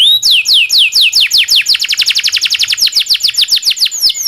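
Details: Local canary long roll used to train magpie robins and other songbirds: continuous string of quick downslurred whistles, around five per second, bright and evenly paced throughout.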